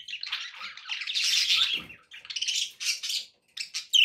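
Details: Pet budgerigars chattering to keep a pet parrot company and encourage it to eat and sing: dense warbling, buzzy twittering in overlapping bursts, with brief pauses and a clear whistled note at the end.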